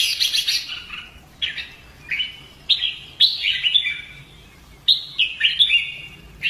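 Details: Red-whiskered bulbul in fighting-song training; a buzzy high opening is followed by separate bright warbled phrases, each beginning sharply and falling away.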